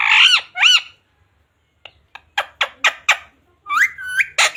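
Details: Pet parrot in a small room: two loud harsh squawks open, then a run of short clicking notes and a final speech-like rising phrase, as the bird known for saying "mummy papa" and "radhe radhe" vocalizes.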